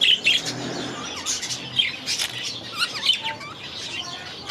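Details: Young budgerigars released into a new aviary: busy high-pitched chatter of squeaky chirps and small rising and falling whistled notes, overlapping continuously.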